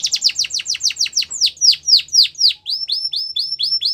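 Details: Russian canary singing for training: quick falling chirps that slow into broader downward sweeps, then a run of short rising upslurred notes repeated evenly.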